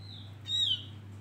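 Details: Javan grey-throated white-eye, male, lure song: a single strong whistle, slightly falling with ringing overtones, lasting about a third of a second, over a faint constant hum.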